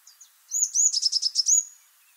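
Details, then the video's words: Eurasian blue tit song: a couple of faint, very high thin notes, then a thin high note leading into a quick bright trill of about six repeated units, ending in a drawn-out high note, in a quiet setting. "Vogelstimmen: Die Blaumeise - Blue tit"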